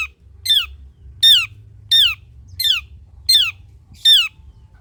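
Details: Cendet, the long-tailed shrike, in a lively lure recording meant to get reluctant shrikes singing: six scratchy descending squawks, each sharply stepped downward, spaced roughly every 0.8 seconds over a low background rumble.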